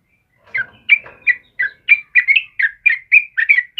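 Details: Trucukan kebo, the yellow-vented bulbul, sings a tight series of mellow, gurgling notes, each a quick drop and rise, about three per second, for use in training caged birds.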